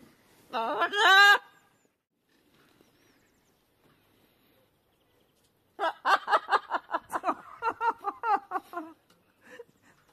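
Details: Two pet macaws, one a green-winged, chattering playfully outdoors on a sunny, calm February winter day just above freezing during free flight: ringing harmonic calls, a pause, then about a dozen quick nasal squawks over three seconds.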